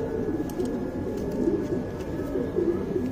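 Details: Young tournament pigeons in a fancier's loft in Bangalore, India, giving short low coos in irregular bursts, with constant hum and faint voices behind.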